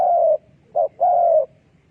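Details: Decoy spotted dove kept for trapping doves, cooing: a long steady hollow coo, a brief clipped note, then another long slightly falling coo, with quiet between.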